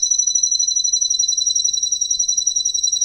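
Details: Male green canary of Russian stock holding a single rapid, unbroken rolling trill at constant high pitch for three seconds.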